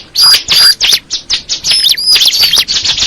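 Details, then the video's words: Bar-winged prinia singing loud, fast twittering phrases of bright chirps with piercing high whistles, almost without pause. "the sound of the crystal ciblek bird"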